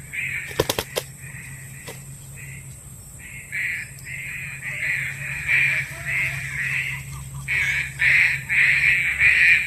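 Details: Green pigeon calls used as a trapping lure. A long series of short, rough, even-pitched notes, softer at first and then louder and closer together, with a few sharp clicks near the start and a constant background hum.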